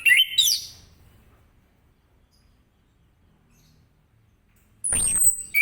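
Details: Orange-headed thrush in morning 'ngeplong' style song, meant to prompt other birds to answer: a short warbled whistled phrase at the start, a long quiet gap, then a thin high descending sweep and a fresh whistle at the end.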